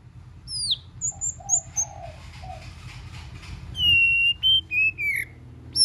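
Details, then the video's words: White-rumped shama singing in varied voices to stimulate shamas. High falling whistles and soft low warbles sit over a steady hiss, then long sustained pure whistles and short falling notes. "Kích Chòe LửA HóT,chòe lửa hót nhiều giọng"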